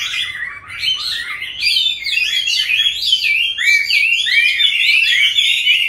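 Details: Chinese hwamei, a wild-caught adult kept in captivity into a fifth year, pours out rich whistled warbling. Quick looping notes climb and dip in an unbroken stream that grows louder after the first second.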